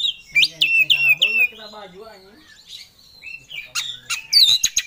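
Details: Oriental magpie-robin singing 'ngobra', full of emotion and seeking a rival: a row of four descending whistled slurs, a softer lower warble, then rapid sharp clicking notes and a bright whistle at the end.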